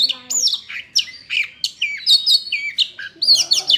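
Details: Oriental magpie-robin in full song: a rich, rapid string of varied whistles, chirps and slurred notes, jerky and constantly changing in pitch.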